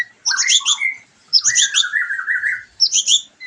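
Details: White-rumped shama song used as a lure to stimulate a bird after moulting and raise its drive and mating urge: three bursts of bright, high chattering notes with a rolling, wavering whistled phrase between them, separated by short silences.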